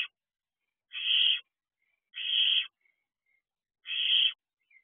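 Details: Wild barn owl owlets sitting outside their nest box at 3 a.m. on 6/2/23 give broad, rasping hissed screeches, each about half a second, spaced around 1.5 seconds apart, with faint short chirps between them.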